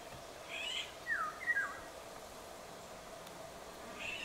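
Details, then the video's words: Eurasian golden oriole song from several birds in western Poland: one brief fluty phrase of two slurred whistles, preceded and followed by faint rougher, higher notes, against constant low background noise. "Pirolgesang von mehreren Tieren - Vogelstimme Pirol (Oriolus oriolus)"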